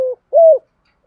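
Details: Two low mellow coo notes of a spotted dove, part of a male and female recording used to train decoy birds; the second note is smooth and slightly arched.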